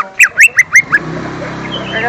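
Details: Lesser green leafbird song for luring young birds: five loud upslurred chirps delivered rapidly within a second, followed by faint hum.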